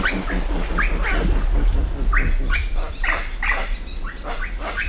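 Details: Hoatzin with wingbeats at Cocha Cashu, Manu: low fluttering thumps and hoarse calls, overlaid by several rising whistled notes from other birds and a steady cicada hum.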